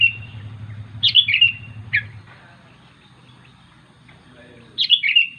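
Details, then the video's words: Sooty-headed bulbul calling to its companions; bright chirpy phrases of quick twittering notes, a burst, a single note, then another burst after a pause, over a low background hum. "Suara Burung Kutilang Memanggil Teman"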